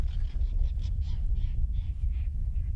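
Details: Lilac-breasted roller on a sunrise safari drive in the African bush, 30 August 2017, sounding very unhappy, likely mobbing a nearby African harrier hawk: harsh, rasping calls, three or four a second, over a low vehicle engine rumble.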